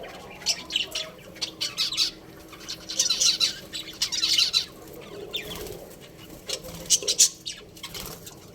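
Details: Chatty pet budgerigars keep up busy, high-pitched twittering for several seconds. Short scratchy chirps and warbled notes come in rapid runs, rising to denser bursts in the middle and trailing off near the end.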